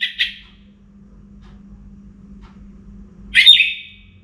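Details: Orange-headed thrush singing before morning: a short burst of high chirped notes, a long pause with a low steady hum, then a louder whistled phrase with a sustained trailing tone.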